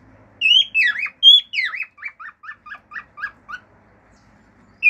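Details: Male pet cockatiel performing natural song with whistles and clicks: loud swooping whistled notes, then a steady series of about eight short chirps fading out, another whistle starting at the end.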